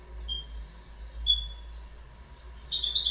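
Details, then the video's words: Goldfinch calling with spaced, thin, high chirps, then a short whistled note, breaking at the end into a burst of fast twittering song. "Goldfinch Bird Sound"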